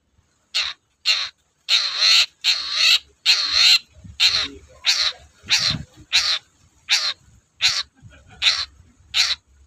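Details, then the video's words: Long-tailed shrike in steady, loud song, used as a lure to get other shrikes singing. Harsh, raspy, broadband bursts repeat about once every 0.6 seconds, about thirteen in all, with faint low rumbling between them. "BURUNG CENDET GACOR DORR"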